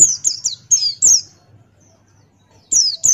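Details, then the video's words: Male pleci of the Buxtoni form, a white-eye, singing strongly in wild 'ngalas' style, beak open. A fast run of four or five very high falling chirps, a gap of over a second, then two more. "Masteran Pleci Buxtoni Ngalas Buka Paruh"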